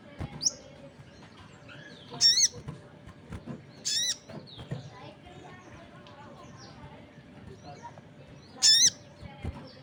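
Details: Crested jay call with other birds answering: three harsh buzzy notes, two close together early and one near the end. Softer chips and faint chatter fill the gaps.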